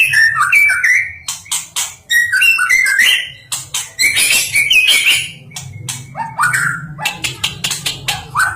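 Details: Melodious song of a national champion white-rumped shama: repeated quick whistled phrases of varied pitch, interspersed with sharp clicks and a dense high chattering passage.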